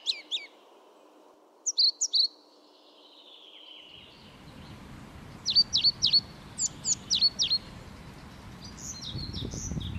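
A European pied flycatcher gives sharp, high, downslurred notes in quick bursts of two to five, over a low rumble of wind or distant traffic.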